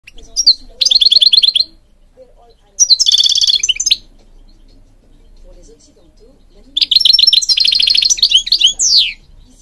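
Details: European goldfinch singing, a bird kept for training other birds, from Morocco: three bursts of rapid, high, tinkling twittered notes with a descending whistled slur at the end, separated by quiet gaps; faint low background murmur.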